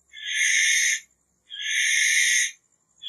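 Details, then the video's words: Two rasping, hissy screeches of a barn owl, each about a second long, rising and holding before cutting off, in an otherwise silent setting. "Barn Owl Song! Barn Owl Call! Barn Owl Sound! - Lechuza Común / De Campanario Canto - Tyto Alba"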